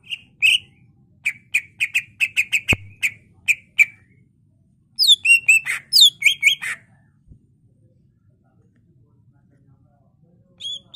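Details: Greater green leafbird (cucak ijo) in energetic full song meant to lure and train other birds: fast repeated sharp chips, then a loud jumble of high twittering phrases, followed by near silence.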